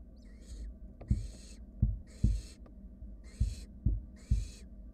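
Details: Barn owl chicks, wild, in a research-monitored nest box as one sibling swallows a rat; five harsh, breathy snoring hisses in quick succession, interleaved with dull low thumps and knocks of birds shifting inside the box.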